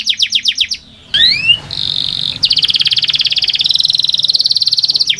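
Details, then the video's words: Canary song played to encourage listless canaries to sing; brief quick notes, a pause, rising slurred whistles, then a long rapid buzzing trill at steady pace. "Sekali putar kenari yang malas bunyi langsung nyaut di jamin gacor 100%"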